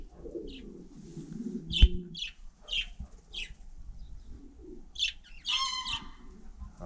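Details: Budgerigar on snow in frost, giving short sharp chirps spaced about a second apart, with a thump and a steady low hum beneath.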